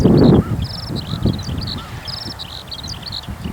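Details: After a song flight, a Eurasian skylark keeps singing busily from a farm field, giving quick high twittering phrases and brief buzzy trills; a loud low thump opens the clip and faint lower calls sound in the background.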